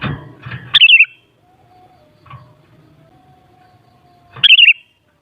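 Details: Two quick gurgling, fluty phrases from a sooty-headed bulbul, separated by about four seconds of quiet with a faint steady tone and low rustle in the background.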